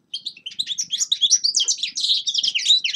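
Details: Forest birds singing in winter: a rapid, unbroken twittering of high chirps and short trills that starts after a brief silence and runs to the end, with no other sounds.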